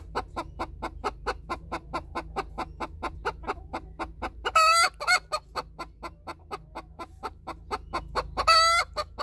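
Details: Hen cackling just after laying an egg, with another hen beside her: a steady run of short clucks about four per second, twice broken by loud, drawn-out, harsh squawks, the first near mid-clip and the second near the end.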